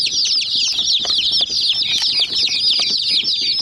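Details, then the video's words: Hen chicks mobbing a white miniature jeep toy produce a steady wall of shrill, quick descending cheeps from many birds, with scattered pecking taps against the toy. "Mini Jeep Vs Murgi Chicks Chirping Sounds"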